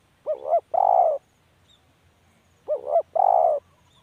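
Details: Spotted dove calling: two phrases, each a quick double coo followed by a longer drawn-out hollow coo, separated by about two seconds of quiet.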